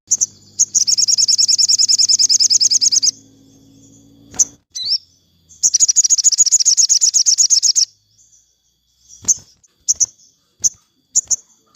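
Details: Sogon singing in the afternoon, played for captive birds that are off form: two long, fast, high, even trills of about two and three seconds, then scattered short sharp chips. A faint low steady tone is heard near the start.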